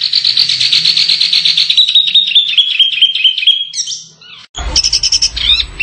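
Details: Canary song on contest-training audio: a rapid pulsing trill gliding slowly downward, a brief pause, then a burst of bright chirps over a low rumbling noise.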